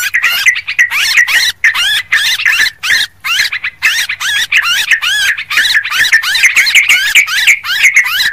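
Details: Yellow-vented bulbul lure calls, rowdy style: an unbroken stream of loud, rolling, bubbly notes with only a few short pauses, busy and excited throughout.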